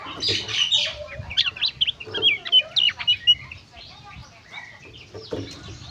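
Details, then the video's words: Oriental magpie-robin (kacer) singing gacor konslet: a dense burst of rapid, varied chirps and sharp whistled notes, thinning into scattered softer notes. Low rumbling background noise. "suara burung kacer gacor konslet"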